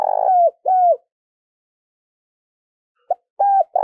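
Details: Spotted dove, a decoy bird of the kind used to lure wild doves, giving low, mellow coos in two short bursts, each a pair of soft hooting notes, with silence between.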